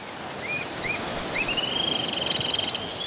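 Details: A single rufous-tailed jacamar in Belize jungle near a lake gives two short rising whistles, then a long, high, thin whistle breaking into a fast quavering trill, over steady forest hiss.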